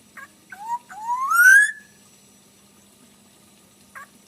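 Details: Black-naped oriole, a handsome golden bird, giving a short clear whistled phrase: a few soft notes, then a long rising fluty slur ending abruptly, with a faint click afterward in otherwise quiet surroundings.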